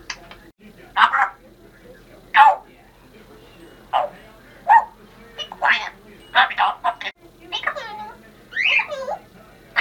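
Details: A female Congo African grey parrot talks in short, clipped, human-like phrases spaced a second or so apart, wishing a Happy New Year 2012, ending with a couple of bright whistled notes.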